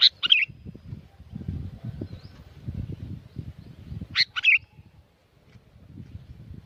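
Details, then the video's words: Sooty-headed bulbul singing vigorously at Curug Agung, Subang, West Java, Indonesia. It gives two brisk, bubbly phrases of sharp notes ending in a slurred whistle, about four seconds apart, over steady low rumbling noise. "Kicau asli kutilang ribut gacor pancingan buat kutilang macet bunyi"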